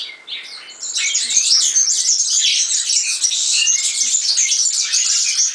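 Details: European serin in full song: after a brief quiet start, an unbroken, rapid, high-pitched jingling and twittering with glassy, buzzy notes that pours on steadily to the end.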